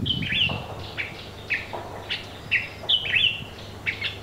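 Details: Black kite in garden trees at Entebbe, Uganda, in 2020 gives thin, high, quavering whistles that slur downward, repeated roughly every half second in short bursts, with a soft rustle at the start.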